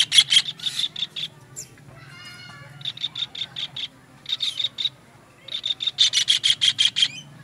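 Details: Kingfisher calls as a master recording for songbird training: scattered harsh notes and softer groups, closing with a strong, fast sequence of rasping notes about six per second.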